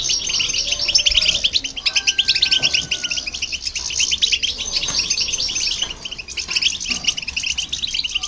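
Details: Goldfinch and a hybrid bird in song to rouse other birds: rapid liquid chirps and trills pour out continuously, with a brief level whistle near two seconds and soft low rumble underneath.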